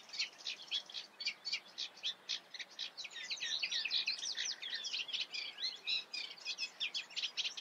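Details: Eurasian reed warbler singing in the Eifel, rhythmic harsh chirps repeated in pairs and triplets, breaking midway into a fast tangled scratchy flurry before returning to evenly spaced notes.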